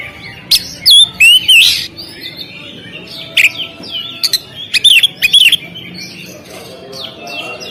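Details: Oriental magpie-robin (kacer) at a singing contest stand: loud bursts of bright slurred whistles and sharp chirps separated by quieter twittering and short pauses.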